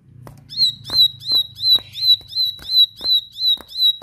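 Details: Bar-winged prinia, a persistent rice-field bird, singing: sharp clicking notes, each followed by a high whistled note, repeated steadily about every half second, nine times in a row, with a faint low hum beneath.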